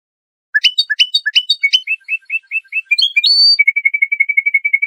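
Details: European goldfinch, trained Iranian Lor bird, in a teaching recording for juvenile songbirds; sharp upward-flicking notes repeated rapidly, a series of softer chips, a brief rising whistle, then a fast level trill, clean and isolated.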